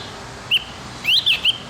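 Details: Morning training song of the Javan grey-throated white-eye for captive birds: a single short whistled note, a pause, then three bright slurred whistles in quick succession. Faint background hum.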